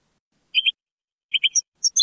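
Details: European goldfinch in the Moroccan Sebtaoui singing style, taken from an old cassette recording: short paired high chirps separated by pauses, then a few clipped twittering notes.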